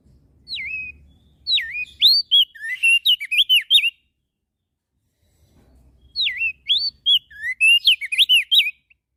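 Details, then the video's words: Javan grey-throated white-eye singing hard, its song said to draw other birds into calling: two similar phrases of twisting, rising-and-falling whistles that speed up into dense chatter, separated by roughly two seconds of quiet. "Opior Jambul Gacor Suaranya Memancing emosi Langsung Burung Lain Ikut Bunyi"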